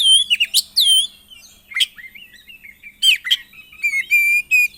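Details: Oriental magpie-robin in energetic 'gacor isian' song: rapid harmonic slurred whistles, downward-swooping notes and sharp strokes, finishing with two level sustained whistles.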